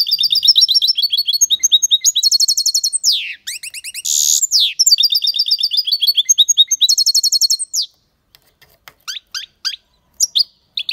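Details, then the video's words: Goldfinch in full, loud song from an aviary: long rapid chattering of high tinkling notes and buzzy rattles for about eight seconds, then a few scattered sharp chirps separated by silences. "Goldfinch singing the best chirping"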